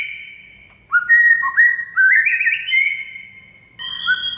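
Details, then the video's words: White-rumped shama song played as a training recording to make silent shamas sing: after a quiet start, loud clear whistled notes step upward in pitch, sliding and overlapping, with a few high thin notes above. "DALAM HITUNGAN DETIK MURAI BISU AUTO GACOR DOR DENGAR MASTERAN SATU INI"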